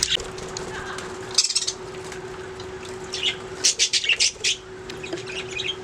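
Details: Budgerigars making sounds: scattered sharp high chirps, then a quick burst of loud repeated squeaky notes later on, between quieter stretches with a low hum.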